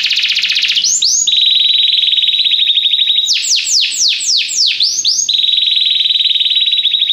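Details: Belgian canary singing, recorded for song training: a buzzy fast trill, a long steady rolling trill, a short burst of descending sweeps in the middle, then the steady trill again.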